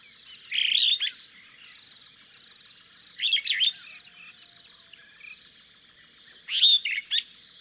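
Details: Superb starling (Lamprotornis superbus) in Kenya gives three bursts of chattering, squeaky notes about three seconds apart over a steady high insect-like hiss.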